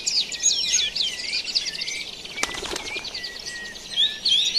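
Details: Birds singing at daybreak in a natural setting: overlapping sweet whistles and quick chirps from several birds, a continuous high twittering, and a single sharp click midway.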